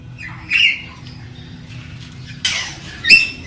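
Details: Galah parrot courting a female: a short rasping screech, a pause with a low background hum, then two more harsh bursts close together near the end.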